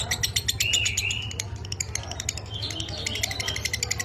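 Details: Caged lovebird giving minor kering style song for training other birds: quick high ticks and chatter with short rising whistled slurs near the start, a low background hum throughout.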